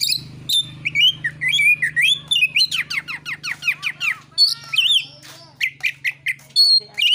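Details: Oriental magpie-robin fighting song used to provoke other birds; rapid, varied run of sharp whistles, rising slurs and harsh squawky notes, tumbling one after another, over a faint low hum.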